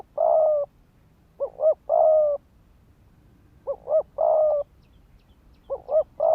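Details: Decoy spotted dove cooing to stir males into fighting; a long level coo followed by pairs of short upswept notes, cycling roughly every two seconds over soft low background noise.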